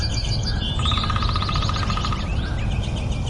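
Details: Nightingale song phrase opening with a few chirps, then a rapid machine-gun trill of evenly repeated notes with rising slurred whistles above it, fading into softer notes, against constant low rumble.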